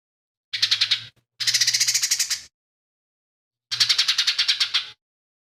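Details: Harsh, rasping pulsed chatters in three bursts, the middle one longest, from a lesser green leafbird whose song reportedly holds imitations of fighting sparrow, tengkek buto and cililin.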